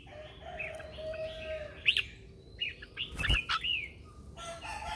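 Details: Red-whiskered bulbul lure bird giving morning training song meant to call others: bright, slurred chirps and quick warbled phrases over a hissy, noisy background with a steady low tone.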